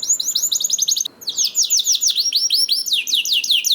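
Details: Canary song played as a lure to get other canaries singing: fast trains of high, down-slurred chirps repeated several times a second, a brief pause near one second, then rolling phrases resuming.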